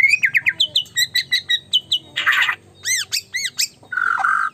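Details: A caged white-rumped shama, very chatty, singing a fast run of repeated paired notes, a harsh burst, arched high whistles, then a rough buzzy ending.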